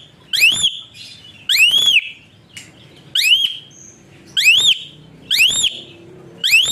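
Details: Whistle-voiced Asian pied starling kept to tutor and stimulate other songbirds, uttering loud upswept whistled notes at irregular intervals of one to one and a half seconds, with faint softer notes between.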